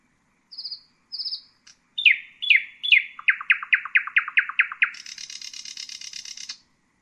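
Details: Common nightingale singing: two high trilled notes, a few slurred whistles, then a rapid run of loud descending notes, closing with a high, buzzy, rattling trill; no other sounds.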